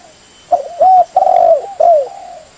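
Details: Spotted dove calling, used to attract birds for trapping: a quick note, an arched coo, a long steady coo and a final falling coo in quick succession, faint hiss behind.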